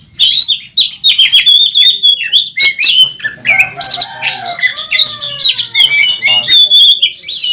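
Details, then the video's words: Oriental magpie-robin on the contest track, a national champion singing its full repertoire while displaying; whistled phrases near one pitch, sudden buzzy bursts, a brief descending series of lower notes, then more high whistles. "Burung Kacer Tarung Ngobra ngotot saat di trek | kacer juara 1 nasional | Kacer gacor full isian"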